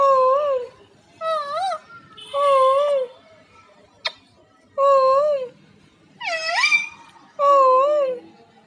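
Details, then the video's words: A pet parrot talks indoors to its owner. It gives six voice-like phrases of about a second each, with wavering, up-and-down pitch, separated by short pauses. There is one sharp click in the middle. "Parrot Laxmi talking"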